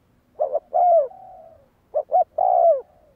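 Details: Spotted dove kept for training decoy birds, giving loud cooing phrases: two short hollow notes then a long falling coo, repeated twice, with a softer coo trailing between.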